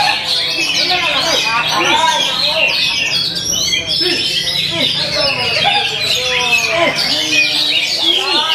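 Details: Oriental magpie-robin in lively action: a dense, unbroken stream of high chirps, sharp whistles and quick trills, overlaid by lower harmonic, voice-like sounds that run through the whole passage.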